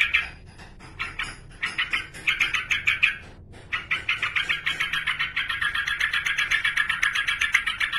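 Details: Male yellow-vented bulbul calling a rival: rapid, uneven bursts of sharp chattering notes, with a brief pause near the middle before a long, steady run of quick repeated notes.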